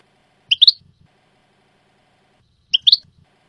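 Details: European goldfinch in the Jordanian song style, from an error-free training tape: two brief bursts of high, bright twittering notes, each a quick pair of chirps about two seconds apart, in a quiet setting.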